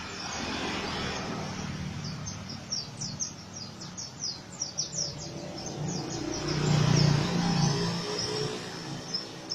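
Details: Rough ngriwik song of an Oriental white-eye, high sharp descending chirps tumbling in fast series, with a steady low drone and a louder low hum near the end.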